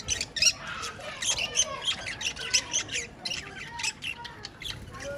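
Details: Budgerigars chattering, a busy stream of short squawks and high chirps, several sharp bright notes, with faint background noise throughout.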